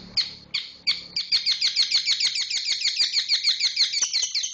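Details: Long-tailed shrike singing 'roll speed rapat' style: a few separate high, sharp notes that speed up into a tight, rapid roll of clipped chirps, several per second, holding dense to the end.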